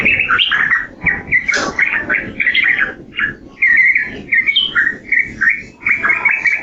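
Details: Trucukan, the yellow-vented bulbul, sings choppy phrases of short gurgles and clear slurred whistles. The phrases are spaced by brief pauses, with one higher squeaky note partway through.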